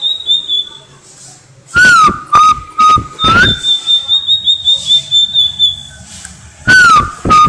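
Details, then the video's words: Tledekan lait, a relative of the sulingan baku or tledekan gunung, singing cplekan style: a high thin trilled whistle held for over a second, then sustained lower whistles ending in upward slurs, broken by loud sharp bursts. "Burung tledekan lait cplekan"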